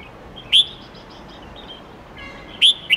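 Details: Red-whiskered bulbul with wild-standard song of many voices, used to train young birds: two short, sharp whistled notes about two seconds apart, faint chirping of other birds and hiss between them.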